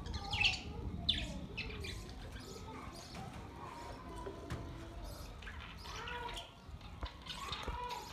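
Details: Budgerigars in yellow, green, white and sky blue, recorded 15 May 2023, chatter with quick, scratchy chirps and warbles over a rough, noisy background.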